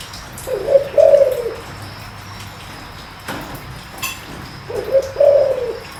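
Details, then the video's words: Spotted dove with a deep voice, cooing to stir newly caught wild doves into calling. Two low, mellow coo phrases, each a short note then a longer throaty coo, about four seconds apart, with faint clicks between. "tiếng chim cu gáy kích bổi mau lên"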